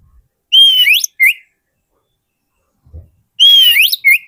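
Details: Lure song of an Oriental magpie-robin meant to attract wild birds: two clear whistled phrases about three seconds apart, each a held high note bending upward, then a short drop, with a soft low thump between them.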